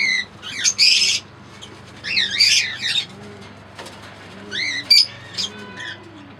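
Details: A few bursts of shrill, wavering squeaks from Fischer's lovebirds, green and albino red-eyed pairs, spaced by quiet stretches filled with soft repeated low cooing.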